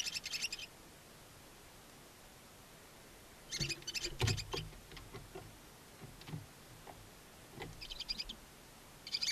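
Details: Barn owl owlets, two newly hatched and left alone in their chimney nest box at Ságvár, Hungary, 23 April 2024: high twittering bursts at start and end, with soft rustling and clicking movement sounds between.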